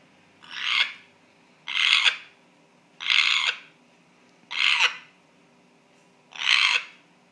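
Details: Unexplained strange noise from a male pet African grey parrot: five short, gritty, hiss-like squawks repeated about every second and a half, evenly loud, against a quiet indoor background.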